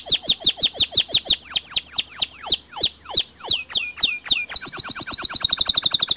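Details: White local canary in song, delivering a fast run of high downward-sweeping notes that slow into longer slurred phrases, then break into a rapid, even, high-pitched trill at the end.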